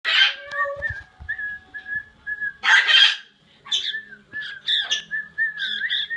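A young cockatiel practises its song with wavering whistles broken by harsh, noisy bursts.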